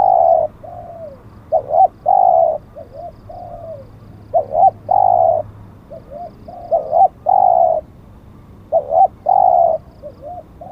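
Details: Spotted dove at a decoy lure where a wild bird was caught, singing repeated coo phrases: short bent notes, a quick double note and a long steady coo, each phrase recurring roughly every two and a half seconds, low hum in background.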